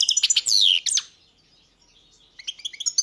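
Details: Brief European goldfinch phrase: quick chirps and a loud descending buzzy note, a short silence, then faint tinkling twitters resuming.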